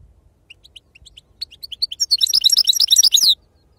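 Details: Wild-type European goldfinch song building from soft, spaced high chirps into a dense, loud tinkling twitter of rapid mixed notes before stopping abruptly.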